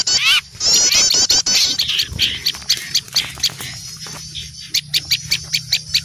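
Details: Small birds raising an alarm at an owl: an opening burst of loud, busy high chattering, then fading to sparse sharp chips repeated roughly every half second over a low steady hum.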